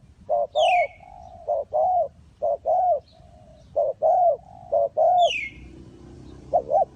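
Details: Spotted dove calling at a bird-trapping site in Ninh Thuận, Vietnam: soft hollow coo phrases of short and long notes joined by faint humming tones, while another bird twice gives a high descending whistle.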